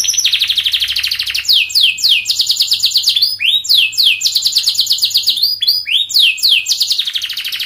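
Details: Long, dense canary song aimed at prompting young canaries to sing back: high rolling trills interrupted repeatedly by quick falling swoops, with a faint low hum early on.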